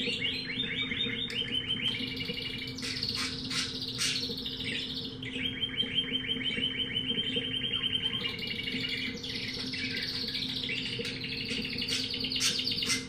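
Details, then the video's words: Pet-shop canary of unknown type in full song, long run of fast trills and buzzy rolls changing pitch every second or two, over a constant low electrical hum. "Canario cantando"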